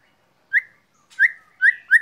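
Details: White-rumped shama in the sun, giving four short upslurred whistled notes, evenly spaced about half a second apart.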